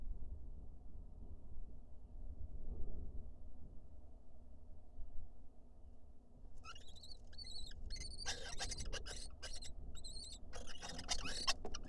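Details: Courting pair of Lesser kestrels in an Israeli nest box: after a long stretch of only low hum, a run of short, high, repeated call notes begins, mixed with bursts of scratching and rustling.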